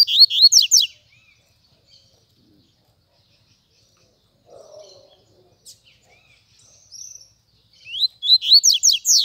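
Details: Coleiro (Double-collared seedeater) delivering loud bursts of rapid, sharply rising and falling high notes, about a second each at the start and end, with faint scattered chirps and a soft low sound in the quiet gap between.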